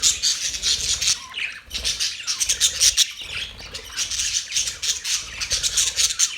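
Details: Budgerigars chirping: dense, continuous high chatter of squawks and tweets overlapping throughout, with a brief quieter dip near two seconds.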